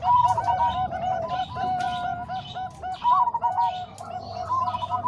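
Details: Zebra dove song mixing Bangkok and Cemani Kolbuntet voices, used for training other doves: layered, stuttering mid-pitched coos with clipped, arched notes overlapping from several voices, and brief louder bursts near the start and after three seconds.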